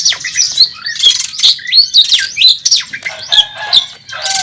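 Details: Contest Oriental magpie-robin, a national champion, singing aggressively on the track with a full repertoire of imitated phrases: dense, scratchy high warbles mixed with clear whistled slurs and harsher squawky notes.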